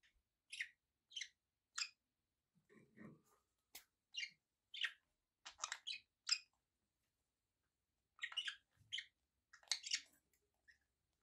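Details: Quiet budgerigar chirps: short, clipped high notes given singly or in small clusters with gaps of silence between.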